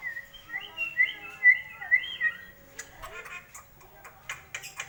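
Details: Sulawesi drongo, a bird with a loud voice, recorded in Makassar: a run of clear, loud, slurred whistled notes for about two and a half seconds, followed by sharp clicking and harsh rasping notes.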